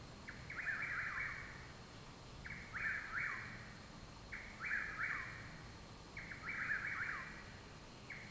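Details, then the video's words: Possibly three Chuck-will's-widows singing at night behind a home in Parkersburg, West Virginia, on 21 June 2019; rolling whistled phrases recur about every two seconds, some overlapping, over a steady faint hum. "Chuck Will's Widows Singing"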